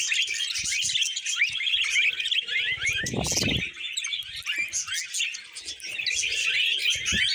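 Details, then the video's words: Singing pet budgies eating vegetables give a steady stream of chattering, squeaky warbles and fast chirps; a burst of crunching and knocking sounds about halfway through. "Happy Budgies Singing & Eating Veg"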